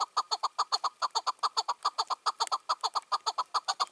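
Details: Wild male chukar in June 2023, dominant in his territory, calling at dusk: loud, regular chucking notes repeated quickly, more than two per second, each note crisp and ringing.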